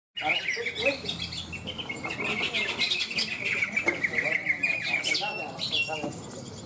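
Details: Greater green leafbird (cucak ijo) singing at a bird-singing contest in Malinau, North Kalimantan, Indonesia; continuous rapid chattering, warbling phrases at high pitch, with a crowd clapping and other contest birds audible.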